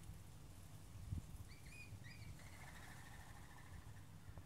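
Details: Rainbow lorikeet mother feeding her chick in a garden in Australia one morning, a few metres away, caught on a mobile phone: a few short paired chirps, then a drawn-out buzzy rasping note, over a steady low rumble.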